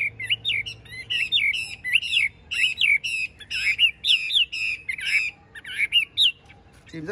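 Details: Tame caged Chinese hwamei with a broad spread tail, singing loud, clear whistled phrases. Each is a quick slurred note that rises and falls, repeated rapidly about twice a second with brief gaps. A faint human sound follows at the end.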